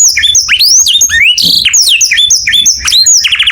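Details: Morning canary song of varied rising and falling whistles and twittering phrases, ending in a short fast trill, with soft low thuds in the background.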